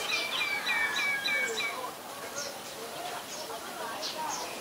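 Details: Common myna recorded in Ubon Ratchathani, Thailand, on 28 February 2022 with a Nikon P1000: a quick chattering run of about six descending whistled notes, then softer scattered chirps and background birds.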